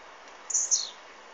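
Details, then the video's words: A blue-black grassquit, recorded with an Android phone, gives one short, high-pitched two-part buzzy note whose end drops in pitch, set against faint constant hiss. "Tiziu muito louco"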